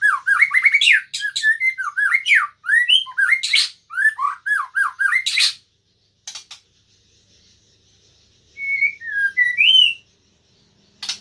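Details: White-rumped shama singing inside a room: a long run of varied, quick whistled and slurred notes with harsh bursts mixed in, a pause, then a few softer rising whistles.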